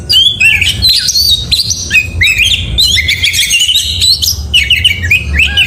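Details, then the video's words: Oriental magpie-robin singing at dawn, 'gacor' style: energetic sequence of sweet whistles, stepped notes and buzzy twitters with little pause across the whole stretch. "Suara Burung Kacer Di pagi hari GACOR MEWAH"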